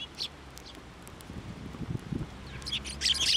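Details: Sparrows being hand-fed at a Tenmangu shrine on 29 January 2024; faint chirps at first, soft low thumps and rustles in the middle, then a burst of overlapping high chirps at the end.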